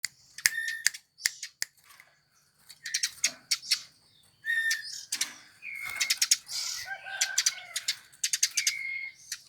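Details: Eurasian tree sparrow, a bird much sought by songbird hobbyists, giving bursts of sharp high chirps with short steady whistled notes, broken by brief pauses.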